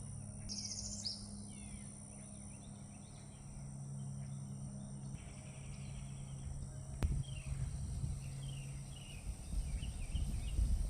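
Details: Morning birdsong: short, high chirps and twittering phrases, some in quick repeated runs, over a steady low hum and rumble, with a sharp click midway.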